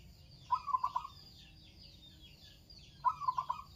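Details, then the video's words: Local zebra dove singing actively: two short phrases of four or five quick, rolling, low cooing notes, about two and a half seconds apart, with faint high chirps from other birds behind. "Burung perkutut lokal gacor"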